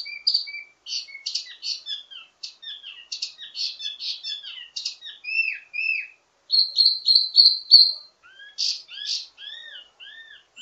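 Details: A wambi mini delivers ledekan, the teasing song with many variations used to train its own kind: clicking chips and short trills, arched whistles, then a loud repeated high note series.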